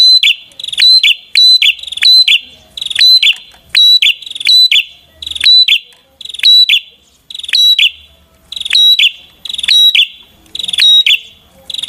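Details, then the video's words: A prinia repeats a bright, piercing, high phrase roughly once a second for twelve seconds. Each phrase is a sharp note that drops slightly and rings, in a steady, insistent rhythm with brief pauses. "Kicau Merdu Burung Perenjak"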